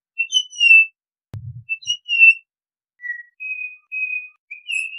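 Pied Butcherbird singing pure, flute-like whistled notes, some gently slurred downward, others held steady, in an unhurried phrase; a single soft low thump midway.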